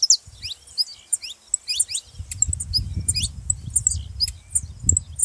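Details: Saffron finch singing to stimulate other canaries: quick, jumbled high chirps and short downslurs, with a steady low rumbling noise through the second half.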